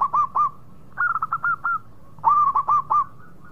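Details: Local zebra dove (perkutut lokal) in active song: three bursts of quick, hooked cooing notes at a steady mid pitch, each burst several notes long, with short quiet gaps between.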